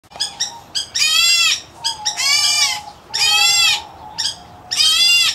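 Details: White-headed Black Bulbul chick, an Indian-area subspecies kept in an aviary, giving harsh, raspy, drawn-out calls in bursts of about half a second to a second, separated by short pauses, over faint low whistling notes.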